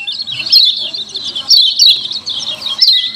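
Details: Lemon-bellied white-eye 'ciak ciak' lure calling: an unbroken stream of high, excited twitters with bright descending chirps roughly once a second and a faint lower whistle near the end.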